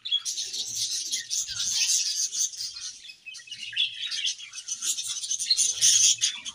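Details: Eating budgerigar colony giving a steady wash of high chirps and warbled chatter, with a short lull near the middle before the many voices resume.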